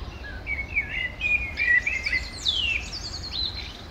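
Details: Common blackbird (Turdus merula) at breakfast on the bank of the Manzanares river, Madrid, 17 February 2023: low fluted, warbling phrases that slide and wobble, followed by a thin, high twittering flourish, over quiet low background rumble.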